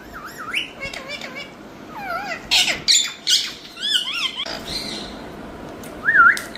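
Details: A pet Indian ringneck (rose-ringed parakeet) talking: wavering, warbled whistles and harsh squawks in quick bursts, some notes rising and falling like mimicked speech.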